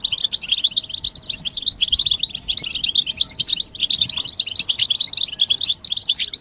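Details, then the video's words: Group chatter of European goldfinches, described as mating and readiness calls that push males to sing; continuous rapid, high twittering with liquid trills and metallic chips overlapping throughout. "بتبتة الحسون تحفيز الحسون على التغريد والهيجان علاج صمت الحسون goldfinch stimulation"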